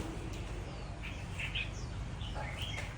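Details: Red-whiskered bulbul, a seasoned decoy bird kept through six seasons and originating from Cao Bằng, Vietnam, gives short warbled, slurred notes in small bursts mid-clip and near the end, over a steady low rumble.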